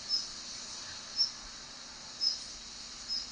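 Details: Female Daurian redstart giving its commonly heard call: thin, very high whistled notes, each short and sharp, repeated roughly once a second over a steady hiss of background noise.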